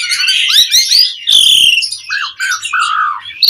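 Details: Asian pied starling 'mompa' song used to provoke other birds: dense high chatter, a loud harsh screech, then lower slurred whistles repeated at a steady pace.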